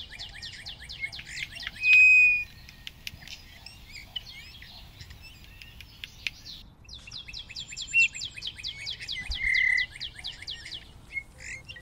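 Two soft, clear piping whistles of a Eurasian bullfinch, several seconds apart, over a busy background of rapid, high twittering chirps from other small birds.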